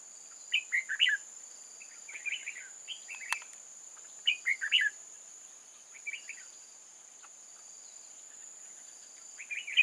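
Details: Red-whiskered bulbul from old forest, a decoy in a trap luring wild bulbuls, 8 October 2018: short bright chirpy warbled phrases of three to five quick notes, repeated with pauses, over a steady high electronic hiss.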